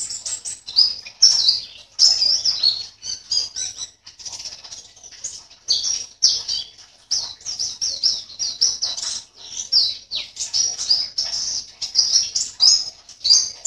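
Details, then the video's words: Competition white-eye, caged, from Sambas in West Kalimantan, Indonesia, pours out nonstop high-pitched warbling chirps in quick rhythmic phrases for the whole stretch. Faint wing flutters may be mixed in. "LOMBA PLECI ONLINE 16 - Aksi Pleci"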